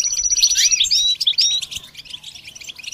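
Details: A short goldfinch phrase: a thin whistle leading into a loud cluster of sweet, slurred, bouncing notes, fading into faint, rapid twitters.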